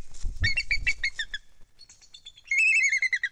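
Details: At a lakeside nest high in a loblolly pine, Kisatchie National Forest, Louisiana, in December, a bald eagle gives a quick series of sharp, descending piping notes over a low rumble, then thin, ringing squeaky chatters.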